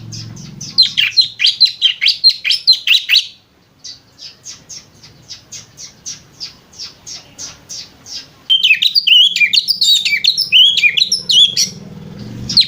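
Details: White-rumped shama in lovebird-like chattering: a burst of rapid high notes, then a long series of evenly spaced softer chips, then another dense rush of twisting whistled notes.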